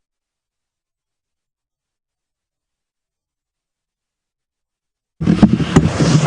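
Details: Five seconds of silence, then a loud scraping, rubbing noise near the microphone, with no animal sound.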